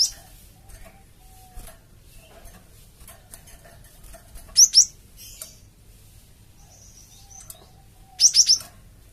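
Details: Java sparrow calling as a lure for other birds to respond to; mostly quiet, broken by a tight double chirp midway and a rapid triple burst of high, clipped notes near the end.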